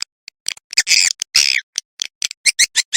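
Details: Swiftlet roosting lure call, a 'ratu birahi' track played to draw swiftlets in to roost: separate short, sharp high chirps and clicks, with two longer buzzy chattering bursts near the start, then quick regular chirps.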